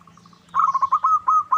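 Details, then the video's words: Local zebra dove used as a lure to make other doves sing and answer: one quick burst of about six rapid, bubbling coo notes at a steady mid pitch, with faint thin chirps from other birds high above. "Pancingan PERKUTUT LOKAL Agar Bunyi"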